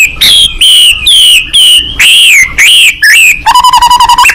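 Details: Open-beaked White-rumped shama fighting bird singing: a series of clear, slightly wavering whistles repeated about twice a second, ending in a rapid trill of short notes.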